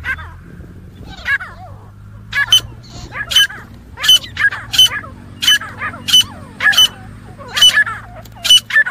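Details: Grey francolin giving the fighting call: a few soft slurred notes, then a long series of sharp, ringing paired notes repeated about every 0.7 seconds over a faint background hum.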